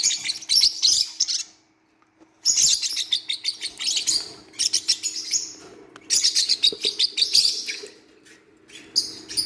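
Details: Several newborn Forpus parrotlet chicks give loud, shrill, rasping cheeps in rapid, overlapping bursts of one to two seconds, separated by short quiet gaps.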